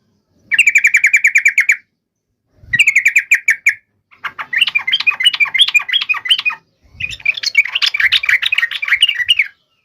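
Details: Yellow-vented bulbul's long rolling fighting song, used to make rivals reply: two trains of rapid, evenly repeated clear notes, followed by two longer bouts of dense, bubbly chattering, with brief silences between.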